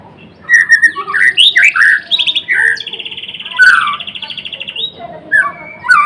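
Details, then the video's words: White-rumped shama of the blorok type singing energetically: rich looping whistles, a sustained buzzy rattling trill in the middle, then further clear slurred phrases. "Kicauan MURAI BATU GACOR (Murai Blorok gacor)"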